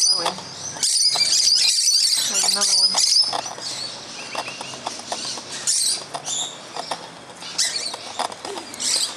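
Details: Musk lorikeets feeding in a tree in the morning, loud and raucous; harsh high screeching bursts and chatter, with a man speaking and fruit dropping through the leaves.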